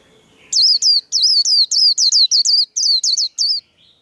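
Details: White-eye delivering contest-style 'líu' song in a singing duel: a fast run of about eleven high, clear slurred whistles, each dipping then lifting, packed into three seconds with brief gaps, against an otherwise quiet background.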